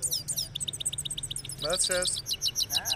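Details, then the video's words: European goldfinch from Parachinar singing: a fast, high twittering run of sharp chips and short buzzy notes, with a man's voice speaking briefly over the middle. "Gold Finch Of Parachinar Singing"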